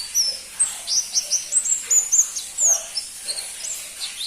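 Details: Crimson-breasted flowerpecker, known locally as pentis pelangi, uttering rapid thin, very high notes and sharp upslurred chirps in a tight cluster, then a few scattered softer ticks.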